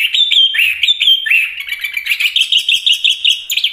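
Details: Chestnut-capped thrush (anis kembang, Geokichla interpres), a strong singer, sings a rich, unbroken run of bright whistles and quick chattering notes, shifting from clear slurred phrases into a fast, jumbled warble.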